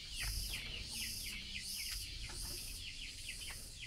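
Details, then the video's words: Chinese hwamei female calling the male while being given mealworms; rapid run of clear descending chirps, about three per second, under a loud rhythmic high buzzing that swells and fades roughly every half second. "Tiểu mi mái chép gọi trống khi cho ăn sâu gạo"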